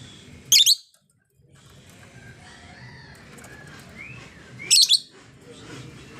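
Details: Female lovebird, very vocal, giving two sharp, shrill, high chirp bursts roughly four seconds apart, with faint thin rising whistles in the quiet stretch between them.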